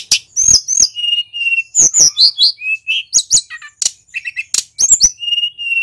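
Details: Rolling, nonstop song from a male Pacitan mountain white-eye showing off its varied repertoire: quick high chips alternating with short, level whistled notes, packed densely with almost no pauses.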